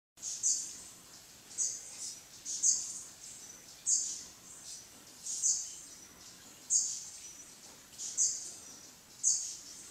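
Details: Velvet-purple coronet (Boissonneaua jardini) gives very high, thin, sharp chips about one a second over soft background hiss; recorded in Mindo, Ecuador, 22 July 2017 at 15:00.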